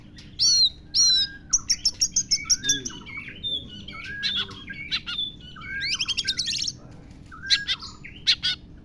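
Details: Oriental magpie-robin singing with lovebird imitations, opening with loud whistled slurs, then a rapid series of clipped chirps, buzzy trills and scattered sharp notes, over a low hum.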